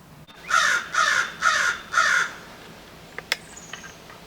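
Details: American Crow near human infrastructure in a city: four harsh, hoarse caws about half a second apart, followed by a few faint clicks and taps.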